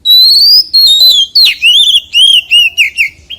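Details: Forest-voice song from a white-rumped shama: a long, pure rising whistle, then a sharp downward sweep followed by a quick string of bouncy, rounded whistled notes.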